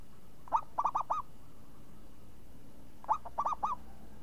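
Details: Two matching phrases from a champion zebra dove, noted for its crisp swinging voice: each phrase is four bell-like arched coos, the first slightly separate, repeated about two and a half seconds apart.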